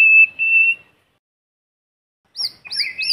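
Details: White-rumped shama in forest giving lure song: a long clear level whistle, a short silence, then quick high chirped notes over lower whistles.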